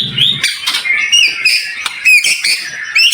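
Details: White-rumped shama tutor song with dense, sharp, high-pitched fills, meant to get other shamas singing; quick varied chirps and whistled phrases roughly once a second, with a brief low rumble at the start.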